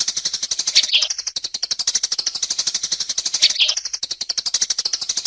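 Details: Sparrow lure from 2022: high, rapid chirping in a rhythmic series, about four notes per second, the same twittering phrase recurring roughly every two and a half seconds.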